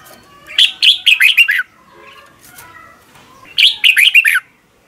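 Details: Red-whiskered bulbul singing in the morning, a lure-bird song used for training other bulbuls to sing. Two quick phrases of five or six bright, warbled notes, separated by a gap with faint lower chatter.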